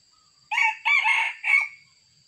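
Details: Sumatran red junglefowl crowing during trapping with a decoy: a loud, harsh three-part crow, a short opening note, a long strained middle phrase and a clipped final note, over a quiet background with a faint steady high whine.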